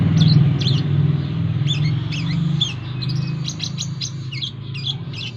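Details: Brown-throated sunbird (kolibri kelapa) kept as a cage bird and trained beside a busy road full of passers-by, giving rapid high thin chirps and short twittering notes, several per second, above a constant low roar of traffic.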